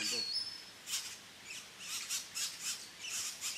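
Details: Red-bellied grackle nestlings, three chicks fed at the nest in La Romera reserve, Sabaneta, Antioquia, Colombia, 2012; a brief thin whistle opens, then raspy high hissing begging bursts come about twice a second.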